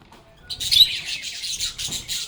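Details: Several lovebirds singing, playing and chatting with one another: a dense run of high, bright chirps and scratchy twitters after a quiet half-second opening, continuing without pause to the end.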